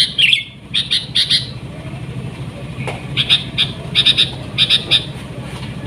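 A sooty-headed bulbul gives bright, clipped notes in quick pairs and triplets, repeated in short bursts, over a steady low engine-like rumble.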